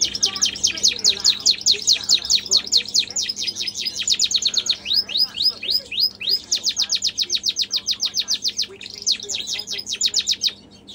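A male canary sings continuously in rapid, high, rolling trills that shift between tours every second or two, with a brief pause midway. A faint low hum sits underneath.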